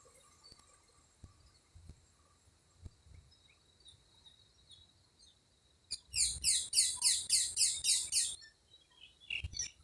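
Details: Wild bird among trees near Anuradhapura, Sri Lanka: after quiet with faint ticks, a fast run of high, sharp chirps repeated about three or four per second for roughly two and a half seconds, then a brief closing burst.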